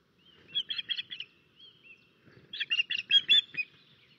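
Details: Osprey at its nest in Estonia on 13 May 2024, alarm calling as a crow attacks the nest; two bursts of five sharp, high whistled notes, the first starting after half a second and the second near 2.6 seconds, separated by a quieter gap.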